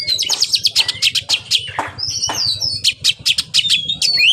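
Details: Oriental magpie-robin (kacer) pouring out a dense, high medley of sharp chips, rising and falling whistles and rattling bursts, with a low rhythmic thumping beneath the song throughout.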